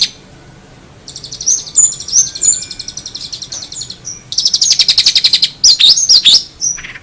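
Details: Singing long-tailed shrike delivering high, rapid chattering trills. The trills rise in intensity, then give way to a few sweeping slurred notes over a low, noisy background.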